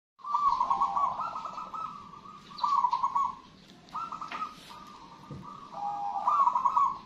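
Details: Local wild zebra dove of Indonesian contest stock singing actively: mellow, rolling trilled coos in phrases of about one to one and a half seconds, separated by short pauses, over a low background hum.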